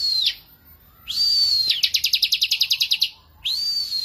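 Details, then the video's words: Bar-winged prinia song in full, vigorous voice: a high whistled note that bends downward, then a fast run of sharp, evenly spaced chips, then another drawn-out high whistle. Background is quiet. "KICAUAN BURUNG CIBLEK GACOR"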